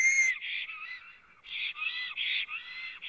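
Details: Black stork singing at its nest on a live nest camera in Latvia, 9 April 2017 at 14:03, before lying down in the nest. A high whistle is followed by a series of wheezy, hoarse, banded phrases, each about half a second long.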